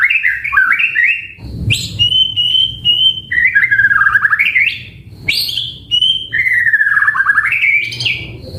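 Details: White-rumped shama delivering a rich, chatty song to trigger replies: steady whistled notes, quick upslurs and long wavering warbled runs repeated in phrases separated by brief gaps.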